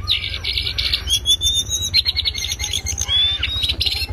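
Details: Lesser shortwing (cingcoang coklat) singing loudly as a master recording for tutoring other birds: bright, fast whistled chirps and short rising notes at high pitch, over a steady low rhythmic pulsing beneath.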